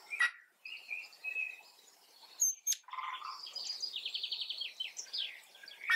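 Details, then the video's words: Close-up of a male Lady Amherst's pheasant's quiet contact calls: high, thin chirps and quick stuttering trills in a busy, overlapping run, with a few sharp clicks between them. "Diamantfasan Kontaktrufe"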